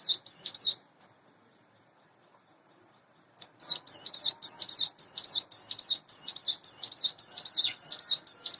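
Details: Sunda bush warbler, captive and hand-reared, about eight months old, singing in the morning: a short burst, a quiet gap with one faint note, then continuous rapid, high, twisting notes repeated steadily about four each second.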